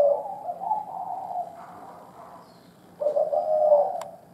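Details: Old wild spotted dove of the 'thổ đồng' cooing type; low, hoarse cooing phrases, a drawn-out run of soft notes, a pause, then a louder burst of cooing, with a faint steady hum beneath.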